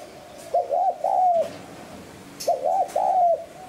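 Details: Two phrases of spotted dove cooing, played to spur decoy birds: each a low double hoot running into a longer, smoothly falling croo, about two seconds apart, in 'hạp bổi' style.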